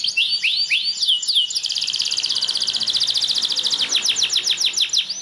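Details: Belgian canary song, played to encourage caged canaries to sing: a few swooping whistled notes, then a long, fast, buzzy trill of tightly packed notes, ending in a series of clear falling whistles.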